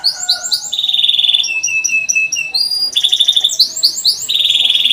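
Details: Canary in full, long song, played as a lure recording for young canaries learning to sing: bright rolling trills and rapid repeated chirps, high and fast, switching between buzzy rolls and clear whistled tours every second or so.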